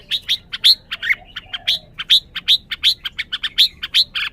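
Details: Excited red-whiskered bulbul kept in a cage, giving quick bright chirps and short whistled upslurs, about four notes per second, uneven in loudness, with a brief lower slurred note near the middle.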